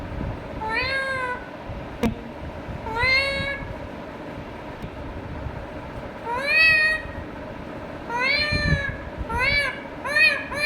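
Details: Indian ringneck parakeet chattering to itself: slurred, meow-like rising syllables spaced a few seconds apart, ending in a quick run of three clipped notes, with a sharp knock early on.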